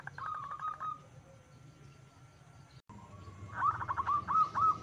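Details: Zebra dove used as a lure, giving short bursts of quick staccato cooing notes near one pitch, one burst at the start and a louder, rising and falling run near the end, with low background hum.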